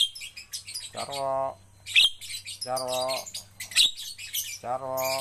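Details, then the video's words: Captive Javan myna in training to sing freely gives scratchy, broadband chatter bursts between three drawn-out nasal squawks with rich harmonics, about every two seconds, with a faint low background hum. "melatih jalak kebo agar cepat gacor"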